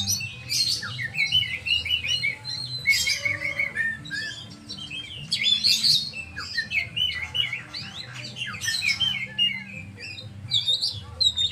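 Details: Oriental magpie-robin delivering a long, lively song of shrill whistles, rising and falling slurs and scratchy bursts in uneven phrases, with short gaps between outbursts and a low background hum.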